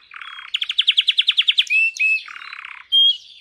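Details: Canary held in the hand sings loudly: a low buzzy trill, a rapid pulsed roll of about a dozen notes, two pure whistles, another buzzy trill and a final bright whistle.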